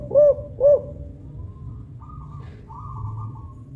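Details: Spotted dove, big-voiced Songgo Ratu five-note 'kuk 5' lure bird: two short deep coos in quick succession, then quieter faint high thin tones over low background rumble.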